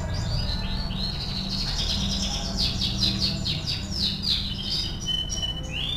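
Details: Canary delivering master song for training: continuous rolling trills and quick repeated whistled notes, rising and falling, ending in a few clear upslurred whistles, with faint low hum.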